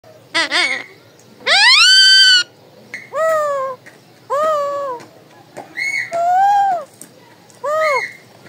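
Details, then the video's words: Pet talking parrot indoors in a small room, calling: a series of loud, harmonic whistled notes, some rising and some arching or falling, each about half a second to a second long, separated by short pauses. "My/TALKING PARROT/ My Raw Parrot calling voice"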